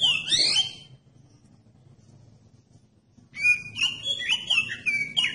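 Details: Oriental magpie-robin song played to make other magpie-robins sing: a short sweeping whistled phrase, about two seconds of near quiet with low hum, then a long run of clear rising and falling whistles.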